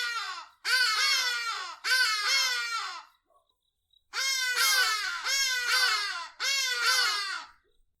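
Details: Hadeda ibis in southern Africa giving loud, raucous, wailing calls in two runs of three harsh, falling 'haa' notes, each about a second long, with a short pause between runs.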